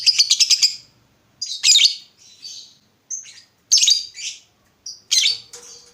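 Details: Lovebird used as a lure that prompts other lovebirds to answer: a quick chattering burst, then separate harsh, high squawky chirps and buzzy notes spaced with brief pauses.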